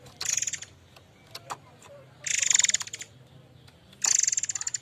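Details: Murai air mancur singing lively as a lure and tutor song: three bursts of harsh, fast, buzzy rattling notes, the first shorter and the second and third stronger, between faint clicks and soft background hum.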